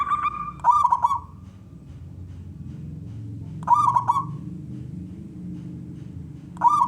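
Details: Male local zebra dove calling to coax other doves to sing: three brief cooing phrases about three seconds apart, each opening with a quick crackling burst and then a short rolling coo, with low rumble between them.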